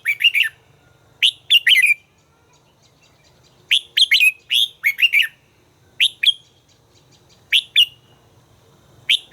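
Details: Red-whiskered bulbul in song training, delivering lively repeated phrases of rich, rolling whistles, each phrase about half a second long, spaced every one to two seconds.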